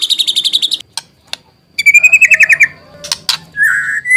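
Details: White-rumped shama used to provoke singing: a quick series of high repeated chips, a rapid trill of mid-pitched notes, then sharp clicks and a drawn-out wavering whistle.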